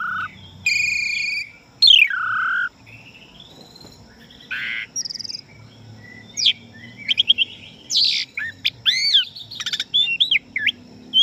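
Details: Asian pied starling song for training young and contest birds: loud clear whistles, a sharp downslurred note, then a stretch of quick clicks, rapid upsweeps and looping whistled phrases over a quiet low rushing background.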